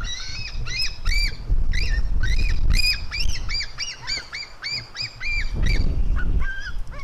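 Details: White-tailed eagle eaglets, a female fighting with her brother: rapid, harmonic yelping calls repeated nearly three times a second, some notes rising then dropping, over steady low rumbling noise.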